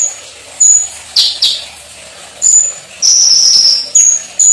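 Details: Konin, the olive-backed sunbird, singing a gacor song with full isian material: piercing, high-pitched whistles, some short and sharp, one a sustained shrill tone about a second long, with small gaps between phrases.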